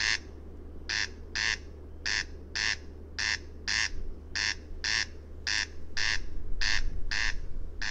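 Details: Corn crake (Crex crex), call.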